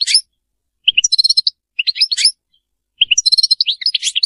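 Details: European goldfinch, Sarfati song: short clusters of tinkling, chattering notes mixed with nasal harmonic buzzes, delivered in bursts with brief gaps between them.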